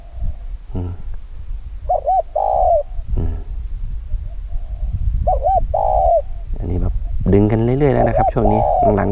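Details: Young male decoy spotted dove now calling in long drawn-out sequences: repeated phrases of looping coos ending in a longer held note, about three seconds apart, mixed with a man talking and low background rumble.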